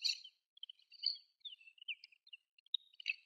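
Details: Quiet subsong of a desert wheatear, a passage migrant or winter visitor at Sakae, Chiba, Japan: a varied medley of chattering, scratchy notes and clear whistled squeaks, some slurred downward, delivered in a loose continuous stream.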